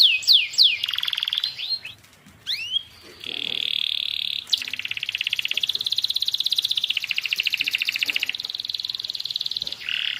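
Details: Canary tutor song meant to start a stalled canary singing. A few quick swooping whistles lead into long, even, buzzy rolling trills, with a brief pause partway.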